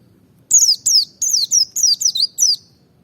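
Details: White-eye of the Merapi type in a steady burst of seven or eight bright, falling chirps, each a quick high slur dropping downward, delivered almost without pause over two seconds; meant to provoke other birds to sing.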